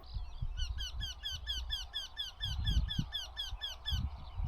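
A Eurasian Wryneck sings a run of about a dozen nasal, slightly down-slurred 'quee' notes, roughly three per second, over a low rumble of wind.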